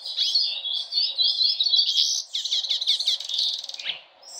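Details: A hooded siskin sings a fast, high twittering song of jumbled chirps, quick trills and buzzy notes that runs unbroken for about four seconds.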